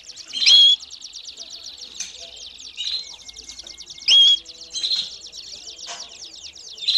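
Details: Domestic canary singing and calling, recorded to train young birds. A soft, continuous high trill runs throughout, broken by louder short buzzy bursts roughly every second or two.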